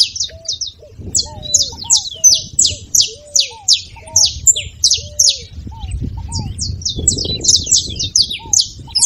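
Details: A saffron finch sings rapid high chirps in repeated phrases, nearly three per second, used to encourage another bird to sing. Lower arched whistles accompany it, with some low murmuring noise underneath.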